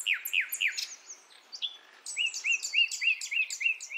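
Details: Sikatan londo nightingale from Java forest, female calling males, used to lure young birds. Loud down-slurred notes in quick succession, a pause, then rapidly repeated rising chirps at an even pace.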